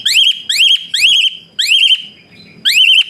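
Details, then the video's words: Harsh, rapid whistling of an Asian pied starling, used to make lazy birds sing: loud rising whistles ending in wavering trills, five in three seconds, with a soft low mutter in a pause. "Burung Bersuara PELUIT Jalak Suren Tembakan Kasar Rapat"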